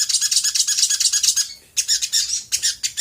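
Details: Sooty-headed bulbul in the gacor konslet style, played as a lure to provoke other birds to respond: quick run of repeated sharp chirps, about six per second, then a short break and a few more clipped notes.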